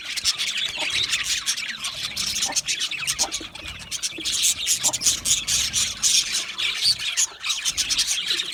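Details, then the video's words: Budgerigars chattering in an aviary: a steady mass of high, scratchy chirps and rasping notes from many birds, with faint low rustling underneath. "Budgie parrot chirping sounds"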